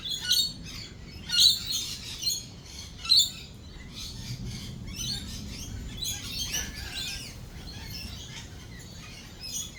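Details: Lorikeets in a thunderstorm: three loud piercing screeches in the first few seconds, then quieter scattered chatter over a soft low rumble.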